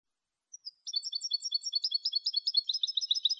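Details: Continuous bright twittering of a European goldfinch in clean Malagueño style, recorded for training goldfinches: two brief lead-in notes, then a dense, rhythmic warbling trill running to the end.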